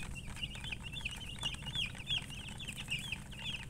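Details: Baby chicks chirping steadily: many high, short peeping notes, each bending down then up, tumbling over one another about three per second, with a low steady hum underneath.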